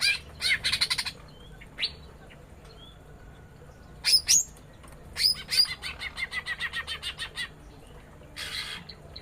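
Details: Captive greater green leafbird pair in a mini aviary at papaya feeding time, female answering male: bursts of high chirps, brief whistles, then a quick evenly spaced chattering series and a final twitter burst.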